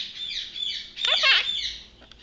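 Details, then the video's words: Pet Quaker parrot indoors making soft, scratchy chatter with a louder burst of raspy squawking in the middle, then trailing off into quiet mumbling. "Quaker Parrot talking"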